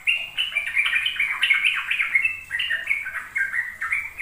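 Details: Sooty-headed bulbul ropel song as a lure for young birds: quick cascade of bright, slurred, bubbling notes, dense and continuous, with a few higher whistled accents.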